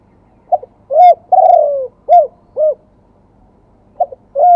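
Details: Spotted dove from Thailand singing a fresh wild-type song in the "2 kuk" style: low arched coos, a long drawn-out falling coo, then two short coos, before the phrase starts again with a soft clipped note.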